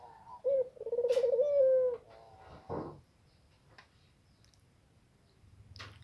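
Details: About to lay eggs, a spotted dove utters one low coo, a short note followed by a rolling, quavering phrase with a sustained ending. A thump and a quiet stretch with soft rustling follow.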